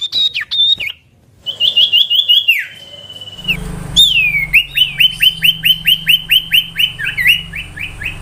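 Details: Common iora chattering song: slurred whistles and a long level whistle, then a steady run of rapid upslurred whistled notes, about three per second, with a low hum in the background.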